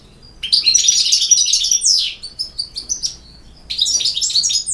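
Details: European goldfinch from Bosnia and Herzegovina singing a 'campero' style song: fast, liquid twittering phrases with high tinkling notes, a pause, then another burst of rapid chirps.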